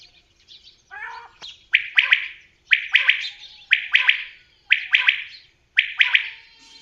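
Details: After soft, low, rasping introductory notes, a common quail delivers five ringing three-syllable phrases at an even pace of about one per second.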